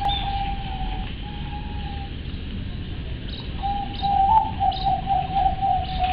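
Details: A captive crossbred zebra dove (Geopelia striata) kept at home coos: soft mid-pitched notes, the first drawn out, then a quick stuttering run of short coos, over a steady low background hum.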